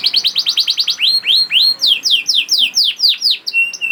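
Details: Young canary song for prompting other canaries: quick rhythmic repeated syllables turning into long sweeping downward whistles at about two per second, ending on level sustained tones.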